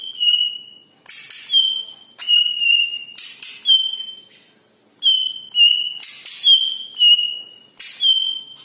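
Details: [1, 'likely', 'song', 'Yellow-headed leafbird (cucak ijo) song used as a lure to get other birds singing: clear, long, slightly falling whistles, each followed by a brighter whistle. Short harsh buzzy bursts break in between the phrases.']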